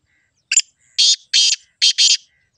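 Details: Black francolin call: a short sharp note followed by four harsh, grating bursts in two paired groups, over clean silence.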